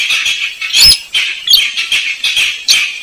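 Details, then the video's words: Slaty-breasted rail lure call: harsh, scratchy high notes in uneven bursts, a little more than one per second, with faint background rustling. "Suara pikat burung weris/Burung sintar semak"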